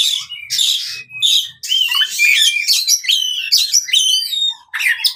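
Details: Oriental magpie-robin fighting song meant to train non-singing birds: harsh buzzy bursts with short gaps, then a dense run of varied chirps, whistles and scratchy notes, ending in rising squeaky phrases.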